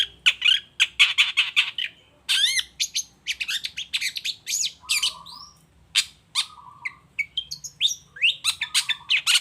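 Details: Long-tailed shrike singing as a lure for other shrikes: a quick burst of stuttered chatter, then varied squawks and trills with several flat low whistles inserted between the bursts of notes.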